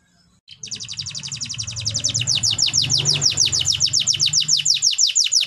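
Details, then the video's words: Canary song for birds that stopped singing: after a short quiet start, a long rapid trill of repeated descending high notes builds in loudness over low background rumble. "MASTERAN KENARI INTERAKSI LANGSUNG BUAT BURUNG MACET BUNYI"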